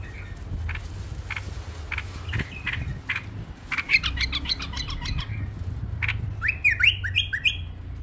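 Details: A tame bulbul gives sharp, chattering notes at irregular intervals, then a burst of quick, bright whistled phrases near the end. A low hum runs underneath.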